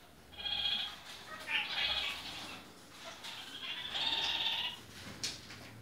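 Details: Captive red-crowned parakeets in several colour varieties calling with harsh, nasal bleating notes in two main bursts, separated by a quieter stretch with faint chatter.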